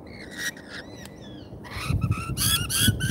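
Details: Lorikeets at a feeder in Australia, on a live feeder cam: thin whistled squeals and sliding notes, then louder rough screeching from several birds, with low thumping noises below.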